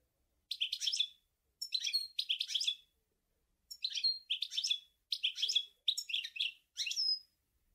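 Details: Chardonneret (goldfinch) song, Sour El Gouzlane: short clusters of thin, high chirps and twitters, each burst under a second, repeated after brief pauses in a clean quiet setting.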